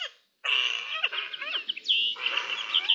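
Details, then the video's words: Several Eurasian jays talking among themselves on 10 May 2021, with a nearly continuous run of rasping chatter mixed with squeaky whistled notes and clicks after a brief silence at the start. "Hablando se entiende la gente (Arrendajos)"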